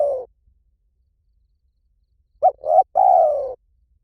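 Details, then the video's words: A spotted dove in the Hliw Tan calling style, played to train a dove to call back. The end of a long coo is followed by two seconds of silence. Then comes a full phrase of two quick notes and a long, slightly falling coo. "สำหรับเปิดล่อนกเขาใหญ่ฝึกต่อ ให้ขันโต้ตามเสียงนกเขาใหญ่หลิ่วตัน"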